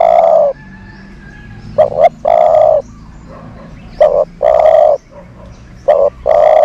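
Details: Decoy dove used to lure other doves, cooing in a low, mellow voice: two quick clipped notes then a longer drawn coo, the phrase repeated about every two seconds, three times here, over faint background hiss.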